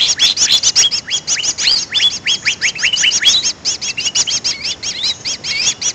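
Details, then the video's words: Greater green leafbird lure call for catching birds: regular run of bright, sharply falling notes with metallic overtones, about several per second, steady and unbroken across the clip. "suara pikat burung cucak ijo paling ampuh"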